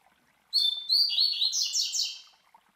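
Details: Double-collared Seedeater (Coleiro), a master bird, singing the classic Tui Tui Zel Zel song used to teach young birds: high whistled opening note, then a fast run of buzzy sliding notes lasting about two seconds, clean background.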